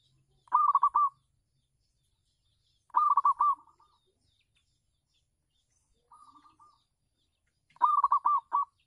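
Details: On a house terrace, a local zebra dove kept as a lure sings loud rippling coo phrases of four or five fast notes, returning roughly every two and a half seconds, one phrase noticeably quieter.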